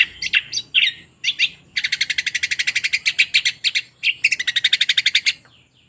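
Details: Long-tailed shrike singing with mimicked phrases: scattered chirps and squeaky notes, then two bursts of rapid, regular, buzzy chattering, ending in soft trailing notes.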